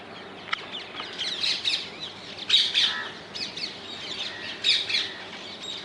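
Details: Wild ringneck parakeets in the Netherlands giving harsh screeching squawks in separate bursts every second or two, several birds overlapping, with a brief click early on.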